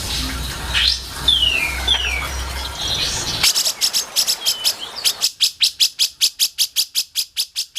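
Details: Grey-cheeked bulbul, for song training. Scattered falling whistles over a noisy background give way to a long, steady run of sharp, clicky high notes repeated quickly.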